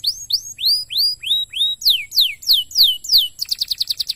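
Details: A canary sings to stimulate other canaries, opening with slow upward-curving whistles, switching to steep falling sweeps, and ending in a quick clipped trill.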